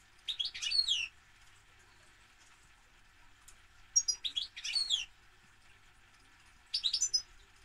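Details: European goldfinch delivering three separate bursts of bright, rapid twittering song, each about a second long and spaced roughly three seconds apart, with sweeping liquid notes over soft hiss.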